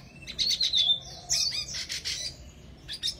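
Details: Wambi bird singing hard: a thin high trill followed by dense, buzzy chattering bursts and a few sharp short chirps, with uneven pauses between phrases.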